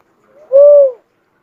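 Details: A cuckoo-dove gives one soft lead-in murmur followed by a loud, steady, arched coo of about half a second, then quiet.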